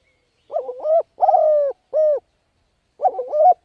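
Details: Spotted dove giving the thúc gù cooing style, used as a decoy to lure and train wild birds: low hollow coos, a wavering double note, then two long drawn-out coos, a pause, and the wavering phrase resuming.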